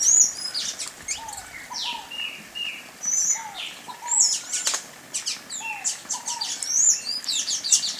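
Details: Sayaca tanager song of thin, high squeaky notes in scattered bursts every second or two, over a steady backdrop of short, lower falling whistles and faint chattering from other birds.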